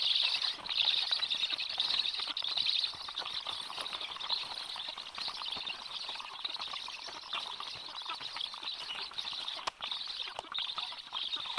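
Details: Black stork chicks beg at a feeding by an adult, a steady high hissing wheeze with faint chirps, loudest at the start, over soft background patter.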